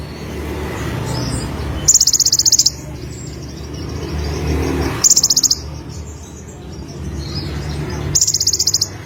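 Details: Olive-backed sunbird, known locally as konin, singing: a rapid high buzzy trill of about a second, repeated every three seconds or so, over a low steady rumble.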